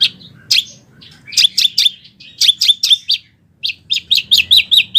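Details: Training song of a Wambi, intended for oriental magpie-robins and other birds. Bright clustered chirps and piercing high notes come in quick bursts, with a short silence partway through.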